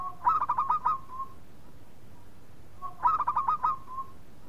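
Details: Local zebra dove song, used as a lure to make other doves sing: two phrases of a short low note, then a fast run of rolling cooing pulses and a trailing coo, about three seconds apart.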